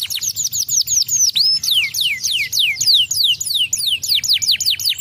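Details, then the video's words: Loud canary song made of quick, falling whistled slurs strung together with hardly a break, with a short rising note near the start. "Welcher Kanarienvogel kann den Klang dieses Kanarienvogels ertragen?"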